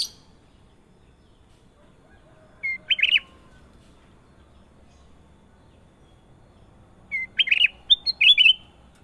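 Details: Kutilang emas (sooty-headed bulbul) in lively, clear singing: two short bubbly, warbled phrases of rapid up-and-down notes, the first near three seconds and a longer burst around seven to eight and a half seconds, with quiet pauses between.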